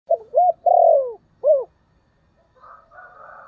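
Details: Decoy spotted dove calling to lure wild doves: one low phrase of four hoarse coos, the third long and sliding down, the last short and arched, followed by a fainter, higher, buzzy sound.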